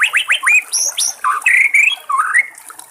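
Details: Wild white-rumped shama with trickling water nearby, giving a rich, varied song of quick upward-swept whistles followed by longer, fuller whistled notes that rise and fall.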